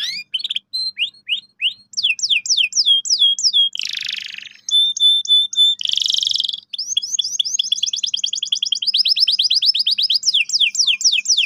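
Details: Singing canary meant to spur young birds into sharp rolling song: descending chirped notes, two harsh buzzy bursts with clipped tones between, then a long rapid high trill.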